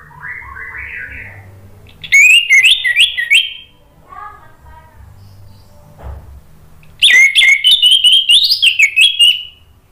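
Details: Song of an orange-headed thrush, meant to coax a silent bird into song. Soft descending warbles open, then a loud fast burst of shrill whistled notes, a quiet pause with faint murmurs, and another vigorous high chattering run.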